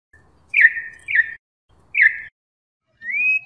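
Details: Brazilian corrupião, or Campo troupial, in its "canto clássico": three sharp downslurred chirps followed by one long rising whistle.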